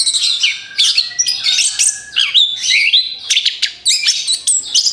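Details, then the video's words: Orange-headed thrush song played as a lure for other birds, delivered in a rapid-fire burst: dense, high, varied chirps, trills and sharp slurred whistles tumbling without pause, with a faint steady whistle lower in the background. "SUARA ANIS KEMBANG BUAT PANCINGAN MAUT"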